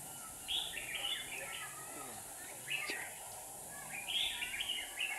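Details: Trapping a wild red-whiskered bulbul in Hòa Bình with a singing decoy; three bursts of chattering, warbled notes with a clear high whistle, a faint click between, steady hiss behind.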